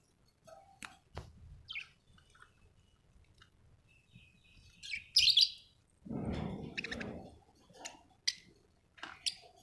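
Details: Budgerigar making short tweets, clicks and a burst of high squeaky chatter, broken by a loud rustling or scraping noise partway through.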